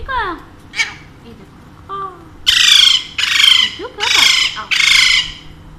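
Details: Pet Alexandrine parakeets, two birds that talk in Urdu and Hindi, start with soft descending, voice-like notes, then break into four strong rasping squawks in steady succession, with a person chatting nearby.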